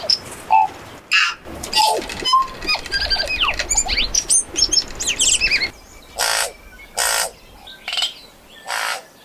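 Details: Highly territorial, socially active tui, which vocalizes through the day for defense, communication and display: varied song of liquid bell-like notes, clicks, wheezes and rapid squeaky whistles, then spaced bursts of harsh, raspy chatter.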